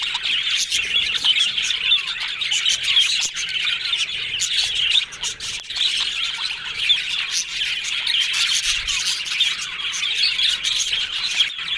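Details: Yellow budgerigars twittering happily as a group, a long unbroken stream of scratchy warbles, chirps and occasional squawks, with a short lull around the middle and a few loud clicks.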